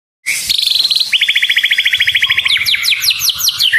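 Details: White-rumped shama, one of two caged birds described as past their molt and ready to be launched: a short rising note, a sustained high whistle, then a long rapid trill of evenly repeated notes ending in quick downward-sweeping flourishes.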